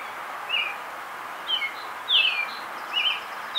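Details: An American robin, an early spring arrival in the backyard, sings short, clear, warbled phrases, each under half a second, spaced about a second apart, over a soft steady hiss.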